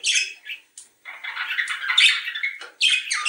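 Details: Budgerigar warble meant to stimulate breeding: buzzy chirps, then a sustained rambling, scratchy warble lasting over a second and a half, ending with sharp squeaks.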